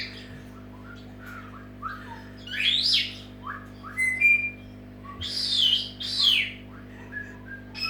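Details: Pet Senegal parrot giving its morning wake-up call indoors: loud, harsh squawks and sweeping whistles in irregular bursts, several rising and falling sharply, with short pure whistled notes between, over a steady low electrical hum.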